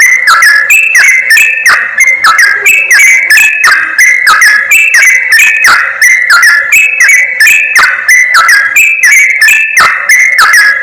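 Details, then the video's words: Yellow-vented bulbul calls played as a trapping lure to pull wild birds nearer: a long, unbroken chorus of bubbly, warbled whistles, busy and overlapping, with rapid repeated chattering phrases throughout. "SUARA PIKAT BURUNG CRUKCUK/TRUCUK"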